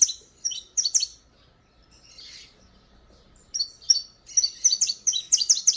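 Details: Disparador-style song of a saffron finch (canário-da-terra). A few sharp chirps open, a softer pause follows, then a fast crescendo of piercing, tightly packed notes.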